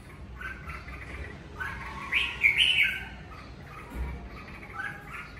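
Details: Red-whiskered bulbul kept at home during the covid season, singing in the natural 'ché' style: bright whistled notes around the middle register, swelling into a loud rippling burst midway, then softer scattered chirps over faint low hum.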